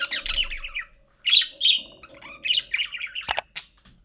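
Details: A budgerigar warbles in fast, scratchy chirps and squeaky trills, with brief pauses between bursts; meant to be played to pet budgerigars to encourage them to sing.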